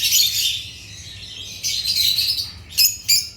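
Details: African lovebirds giving a burst of high twittering, a quieter stretch, then more chatter ending in two sharp, loud chirps.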